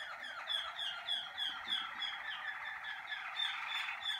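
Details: Singing-cabin practice of a Malinois Waterslager canary getting into form: a dense, continuous rolling phrase of quick repeated notes, roughly three per second, with a full, gurgling texture throughout.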